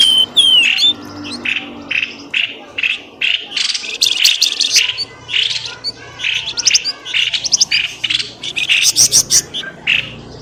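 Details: Bird lure sound, styled pelamboyan ribut, meant to draw birds quickly out of bushes: dense bursts of high, sharp chirps and short trills in quick clusters, with a thin rising whistle at the start.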